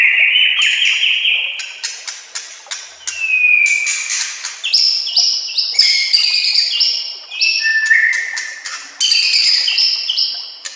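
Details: White-rumped shama singing as a master song for training other shamas: rich varied phrases of bright whistles, sharp clicks and quick high trills, each burst swelling then fading, repeated for about ten seconds.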